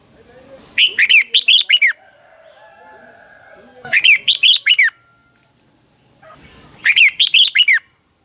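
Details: Lure-bird red-whiskered bulbul in dueling song: three near-identical phrases of five to six quick, clear downslurred whistles, repeated about every three seconds, with faint low chatter between phrases.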